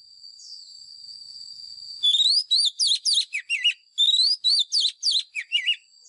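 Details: White-rumped shama lure bird giving fighting song used to train caged birds' voices: after two seconds of a thin steady high tone, a burst of loud clear whistled phrases, rising slurs and dropping notes, about fourteen in quick succession.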